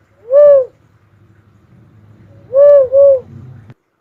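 A Philippine cuckoo-dove gives a single hollow, arched hoot, then a quick double hoot two seconds later. A faint low hum runs underneath.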